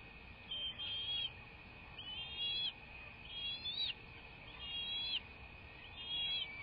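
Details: Bald eagle at its nest, captured by a live cam on 21 March 2024 at 08:45. Five shrill, curved whistle phrases repeat steadily, each about half a second long and rising before a sudden drop, over a low background hiss.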